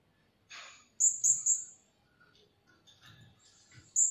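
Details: Blue-crowned hanging parrot lure call used for trapping: three sharp, very high shrill notes in quick succession, then scattered faint softer chirps and a final piercing high note.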